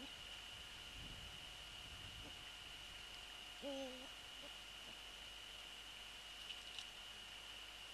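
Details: Eurasian eagle-owl at the nest on February 3, 2014, near 18:10, during a prey transfer and the male's visit. A single short, moderately loud, tonal call at mid-clip, with faint rustles and a constant hum.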